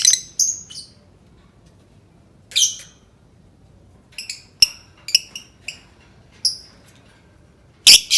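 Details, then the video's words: Sparse lovebird calling used to get other lovebirds singing: scattered short, high, rising squeaks and chips separated by long pauses, ending in a harsh, grating burst. "Suara burung lovebird cocok banget untuk pancing lovebird berbunyi"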